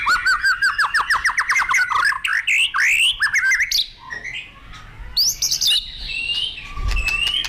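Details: Energetic, nonstop song of a white-rumped shama: a rapid series of rising whistled notes repeated about twice a second, followed by varied, fluty and chattering phrases.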